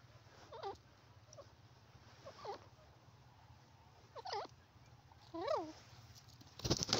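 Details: Francolin calling: a few short, harsh notes with looping, rising-and-falling shape, spaced irregularly over several seconds against steady low hum, ending in a loud broadband burst.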